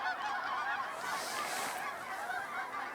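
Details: A flock of Canada geese near a grain elevator in rural Saskatchewan, Canada, near Aberdeen and Saskatoon, honks continuously, with overlapping nasal, mid-pitched calls blending into a steady clamour for three seconds.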